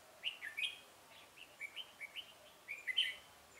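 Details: Red-whiskered bulbul used as a decoy to lure rival bulbuls into a trap, recorded 17 November 2017: a run of short, bright whistled phrases, rising and falling, repeated in quick bursts against a quiet background.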